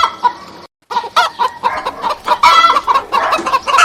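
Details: Domestic chickens clucking in a group: rapid, choppy clucks after a brief pause, rising into a busier, louder cackle of several hens.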